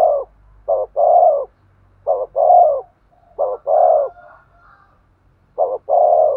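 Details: Spotted dove cooing to stimulate a male: four phrases, each a short clipped note then a longer hollow coo, spaced about every one and a half seconds, with a faint thin whistle after the third.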